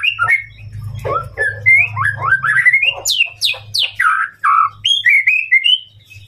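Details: White-rumped shama sings to provoke a rival, stringing rising whistled notes, steep high downward sweeps and rich warbled phrases, with a buzzing low hum pulsing underneath.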